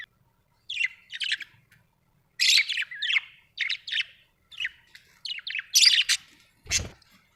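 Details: Budgerigars kept at home chattering in quick bursts of scratchy, buzzy chirps and warbles, with one sharp knock near the end.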